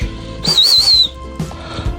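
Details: Sun conure, apparently kept indoors, gives one high, clear whistle lasting about half a second, wavering slightly and falling at the end; faint room noise follows.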